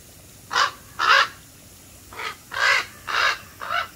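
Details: Series of six harsh, grating caws from black crows, delivered at an uneven rhythm roughly every half second, some louder and some softer, over a quiet outdoor background.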